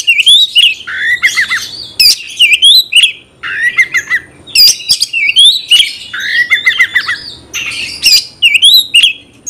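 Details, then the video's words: Oriental magpie-robin kept in a cage, singing to trigger a fighting response in another male; phrases of rising whistles mixed with sharp clicks repeat roughly every two seconds, loud and insistent. "Kacer gacor bongkar emosi dalam hitungan detik dijamin Kacer langsung tarung ngotot"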